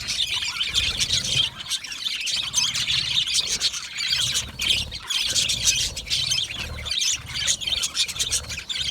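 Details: Australian budgies, comfortable in their colony, produce a lively blend of quick chirps, short squawks and warbles, many voices layered into a continuous high chorus with small dips in loudness.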